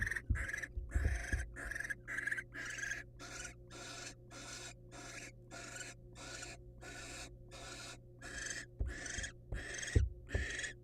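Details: Long run of rhythmic, noisy hissing screeches from wild barn owls in a nest box, the male arriving with a mouse for the female; regular bursts about twice a second, scuffling thumps and constant hum beneath.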